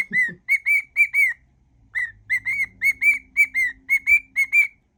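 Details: Whistling cockatiel mimicking songs: two short low sounds, then repeated clear whistled notes in two phrases, with a faint steady background hum.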